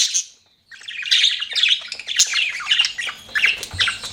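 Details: A budgerigar gives a short squawk, falls silent for a moment, then breaks into busy high chirping and scratchy warbled chatter that continues to the end.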